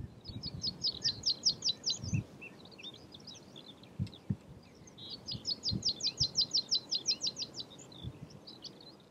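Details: Meadow pipit, subspecies pratensis, recorded in April 2019 at Uitkerkse Polder, Belgium: two bursts of rapid, high, ticking notes that quicken into a rattling series, with scattered thin notes between them and soft background noise.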